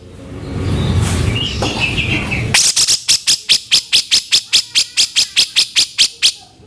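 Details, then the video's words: Rough, harsh vocal series from a grey-cheeked bulbul, recorded as a training master for songbirds: noisy opening, then a steady run of grating, broadband notes at about two per second. "masteran terbaik pencetak suara kasaran dan speed //cucak jenggot"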